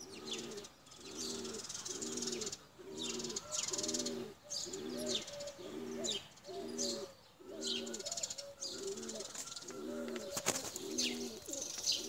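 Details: Tumbler pigeons, including blue Çakmaklı birds, kept for flying: low throaty coos repeated about once a second in steady rolling phrases, with thin high chirps of other birds above and brief faint clatter.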